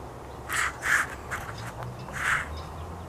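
A red-breasted sapsucker gives three short, nasal, mewing squeals, two close together and then one more after a pause, over a faint low hum.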